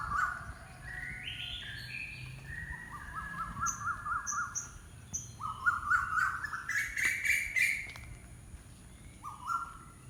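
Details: A bird of unknown kind sings a varied series of clear whistles: stepped rising notes, a wavering trill, then a longer climbing warbled phrase and a final short upward note.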